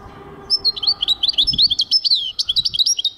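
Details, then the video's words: European goldfinch delivering a lively sequence of sharp, high chirps and twittered notes, some bending up and down, in a rapid uneven rhythm, with a faint hum beneath. "goldfinch singing chardonneret jilguero singing 2023"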